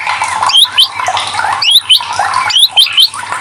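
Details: White-rumped shama singing a prompting song meant to make reluctant shamas answer: scratchy warbling mixed with sharp, high upswept chips in pairs roughly every second, a constant low hum underneath.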